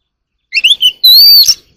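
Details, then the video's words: Short phrase from a wild Oriental magpie-robin in the early morning: a few quick rising chirps followed by one long, clear, gently arching whistle and a final sharp note. "kacer alam | warbler sings early in the morning || Chòe than hót đấu chim rừng quá sung"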